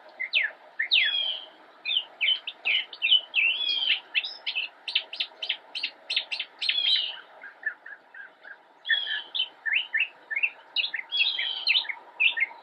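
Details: An immature Northern mockingbird (Mimus polyglottos) sings from a bush in Cabarrus County, North Carolina, on 10 October 2016: a long, varied run of sharp chirps, slurred whistles and rapid trilled phrases, each motif often repeated before switching.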